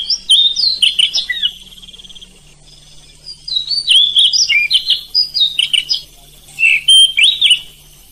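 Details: Oriental magpie-robin singing at night to stir other magpie-robins into song: fast, varied whistled notes, including a brief trill, then a lull, then renewed rapid chirping phrases.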